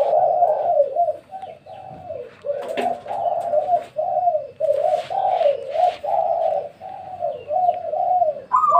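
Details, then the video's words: Spotted dove calling at midday near a home: a continuous chain of low, soft coos rising and dipping in rhythmic pairs, with a few faint clicks and rustles behind. "suara tekukur di siang hari"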